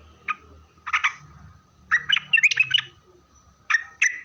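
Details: Sooty-headed bulbul in full, steady song, played as a lure to make other bulbuls answer: short harsh chirpy bursts, then a quick rattling run of notes mid-phrase, then two more bursts, over a faint constant hum.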